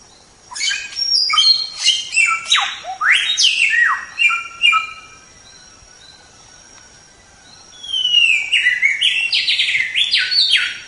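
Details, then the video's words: White-rumped shama song for training songbirds: a burst of rapid downward sweeps and whistled phrases, a pause of about three seconds, then a rising whistle and more fast, sharp sweeping notes. "Masteran Suara Samyong"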